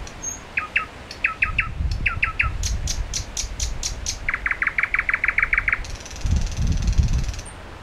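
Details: A lone common nightingale at Solbjerg Sø, 31 May 2011 at 22:30, sings short songs with long pauses: paired whistled notes, high piercing pips, a rapid rattling run and a harsh buzzy burst, over low traffic rumble.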